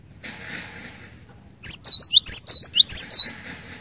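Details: Cinereous tit singing to encourage other cinereous tits into song; a soft background hum gives way to about four sharp, loud whistled phrases, each a rising note then a lower falling note.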